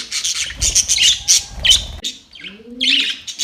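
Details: Budgies in a fight, October 25, 2023, give rapid grating chatter and squeaky chirps, a brief lull, then more chatter, with a single low dove coo in the middle.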